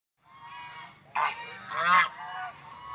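Geese give two loud, harsh honks about a second apart over a steady chorus of lower nasal calls from the flock.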